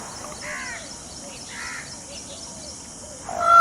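A peacock gives two loud, nasal, honking calls about a second apart, followed by a sharper, louder note at the end over faint background hiss.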